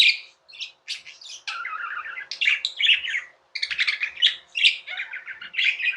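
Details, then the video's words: Budgerigar kept as a pet chattering almost without pause: dense, scratchy chirps and buzzy warbles with sharp squawky accents, one brief gap midway. "Budgies | Talking | Singing | Chirping sounds"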